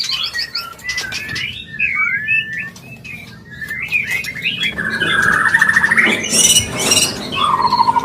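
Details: White-rumped shama singing its mating song, used to trigger breeding condition: looping whistled phrases, then a buzzy lower chattering passage and harsh high bursts, closing with a clear falling whistle.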